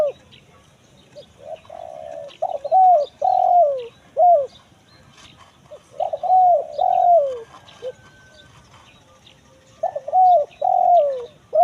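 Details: Lure recording of a spotted dove for finding wild birds in forest, kuk 1 mersik style: three phrases of quick clipped coos ending in a drawn-out descending coo and a short final note, with soft distant chirping behind.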